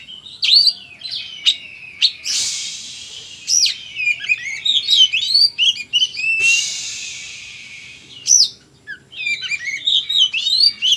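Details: Loud, energetic song of an Oriental magpie-robin: fast varied whistles and chattering notes mixed with two long harsh rasping phrases.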